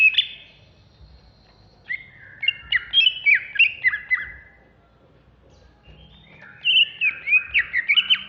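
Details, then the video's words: Caged greater green leafbird, Alas Purwo type, from Jatiasih, Bekasi, in an excited singing bout: a short buzzy note, then fast downward-slurred whistles and twitters, a pause, and another energetic run of chattering whistled notes. "Cucak Hijau Alas Purwo Ngamuk"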